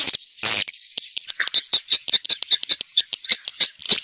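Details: Swiftlet mating call, described as an original recording: a quick series of short, dry, high chirps and clicks repeated several times a second, with a brief harsh rasp near the start.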